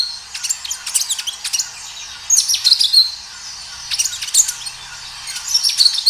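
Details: Lively kinoi song recorded outdoors: bursts of high, sharp chirps and whistled notes in quick succession, three main phrases over about six seconds, with quieter twitters in between.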